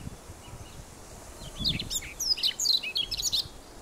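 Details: A male Siberian Rubythroat on Teuri Island, Japan, on 28 April 2019 sings a quick, varied burst of high, sweet chirps and squeaky twitters, closely packed, over a faint low rumble of wind.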